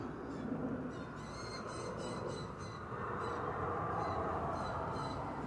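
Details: Juvenile blue jays, probably about three babies around 2 months old near a front-yard nest, begging loudly as the mother feeds them seeds around 5:30–5:45; harsh, nasal, repeated calls in quick bursts over steady low rumble.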